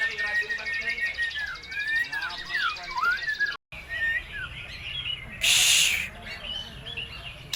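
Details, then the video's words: Lure song of a white-rumped shama, meant to provoke other birds into singing and filled with other birds' material: varied rising and falling whistled phrases, a brief break, then a short hissing burst and further whistles. "PANCINGAN MURAI BATU GACOR MATERI FULL ISIAN"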